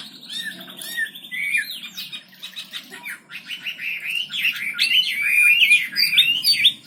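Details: Wambi bird singing steadily, kept as a master song for training birds: a rapid, varied stream of high whistled and chattering phrases with quick rising and falling sweeps, growing louder toward the end.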